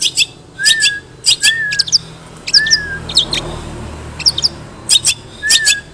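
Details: Mimicry-rich long-tailed shrike song, used as a lure for other shrikes and carrying sparrow-fight imitations: scratchy, buzzy chatter bursts interspersed with brief downslurred whistled notes about once a second.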